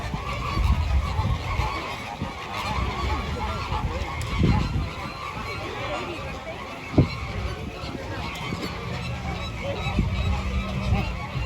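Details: Flamingo flock giving low, goose-like honks that overlap into a steady murmuring chorus, with occasional louder single honks, a sharp knock near the middle and some faint human voices.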